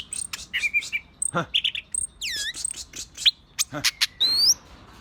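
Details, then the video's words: Agitated green leafbird (cicak ijo) singing a varied, fast run of sharp high whistles, rising and falling sweeps, a descending slurred series and brief harsh notes, with low hum underneath. "cara pancing burung cicak ijo kk emosi"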